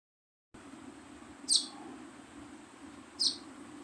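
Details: Baby sparrow giving two short, high, sharp chirps about two seconds apart over a steady background hiss and low hum.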